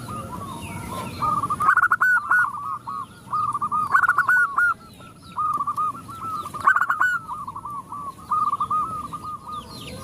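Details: Zebra doves responding to a calling female: loud stuttering bursts of rapid notes recur roughly every two to three seconds between rolling trilled coo phrases, with steady high chirps of small birds.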